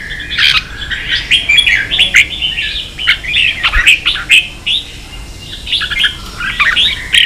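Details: Red-whiskered bulbul in 'ché' song, meant to train young birds: continuous lively chattering of quick rising and falling whistled notes, phrases repeated densely throughout with brief pauses.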